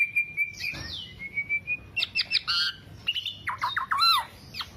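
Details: Black-naped oriole in full song, used to lure other orioles or train songbirds: a long thin whistle followed by rapid, buzzy chatter and swooping, rolling phrases that grow busier toward the end.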